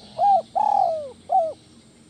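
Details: Captive spotted dove calling, meant to soothe stressed doves: a clear short coo, a long drawn coo that slides steadily downward, then a brief closing coo, loud and mellow.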